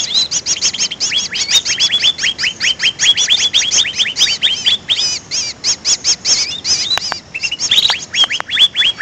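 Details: Used as a trapping lure, greater green leafbird chatter: fast volleys of high, bright chirps and upward-swept notes, later broken by a few sharp downward flicks and sweeping whistles.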